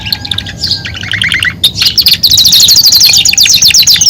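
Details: Belgian canary, a caged songbird, singing a loud, fast canary song: scattered chirps give way to rapid repeated trills of high whistled notes, about four notes per second, with a faint steady hum underneath.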